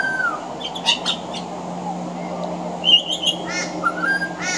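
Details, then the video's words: Pied butcherbird singing on a veranda, with mimicked Australian bird calls woven in: a downslurred whistle, scratchy bursts, a pause, then clear high whistles and coarse rasping calls, over a low steady hum. "Mimicry of the pied butcherbird"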